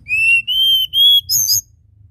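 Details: Sunda robin (Myiomela diana), song.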